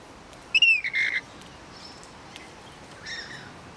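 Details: Australian rainbow lorikeet calling in a backyard: one loud, harsh, grating screech that slides slightly downward and lasts over half a second, followed by faint distant squeaks.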